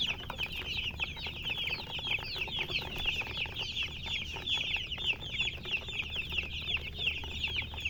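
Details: Colour chickens give a dense, continuous chorus of shrill, rising chirps, closely packed and overlapping throughout, over a faint low hum.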